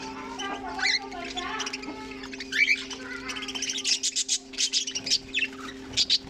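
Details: Budgies in a colony housed alongside cockatiels produce rising squeaky notes and then quick, sharp chirps that grow busier toward the end, with a faint steady hum behind.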